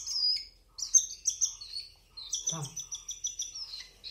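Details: Cockatiel chicks at hand feeding: strings of high, buzzy, stuttering chirps in quick runs, with a brief lower voice in the middle.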